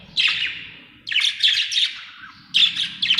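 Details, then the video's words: Happy budgerigar chirping loudly in close, scratchy bursts, three rapid notes run together after a single call, then a final pair, with faint low background rumble. "Happy budgie chirping sound"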